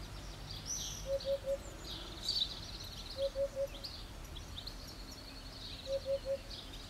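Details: A Eurasian hoopoe perched on a roof tile sings insistently, a low, hollow three-note 'oop-oop-oop' repeated roughly every two and a half seconds, with faint high chirps of other birds behind.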